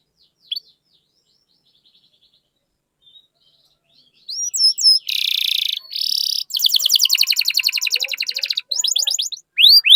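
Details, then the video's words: Canary lure song meant to prompt other canaries to sing: after near-silence come harsh buzzy bursts and a long, fast rattling trill, then sweeping whistled notes. "Pancingan Burung Kenari Gacor Cuit Cuit Masteran Kenari Paud"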